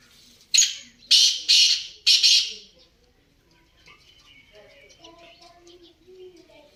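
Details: Black francolin (kala teetar) calling: three loud, harsh, grating notes in quick succession, the last two longer and rasping, then quiet with faint murmuring voices and soft bird twitters.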